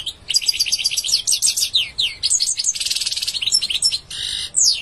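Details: Continuous lively goldfinch song: tumbling high twitters, sweeping slurred notes and a dense buzzy trill, delivered rapidly with barely any breaks.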